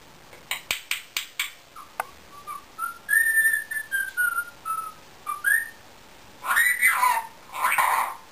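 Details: Indian ringneck parakeet kept as a pet, whistling a tune: a run of clear, level and gently falling whistled notes near the middle, after several sharp clicks, ending with two loud, harsh, arching squawks.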